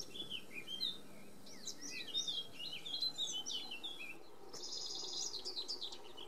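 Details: Iberian pied flycatcher singing in Sierra de Piedrahita, central Spain, on 4 May 2014: quick series of high, sweeping, slurred notes in short phrases, with other birds chirping in the background.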